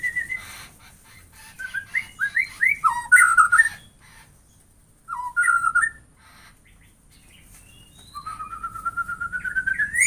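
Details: White-rumped shama singing, intended to get other shamas singing: sparse phrases of clear whistled notes with quiet gaps between, ending in a long, steadily rising trilled whistle.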